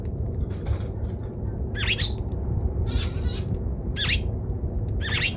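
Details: Eurasian tree sparrow uttering separated loud chirps roughly every second, each a short rising-falling chip, with fainter chatter between and a continuous low rumble underneath.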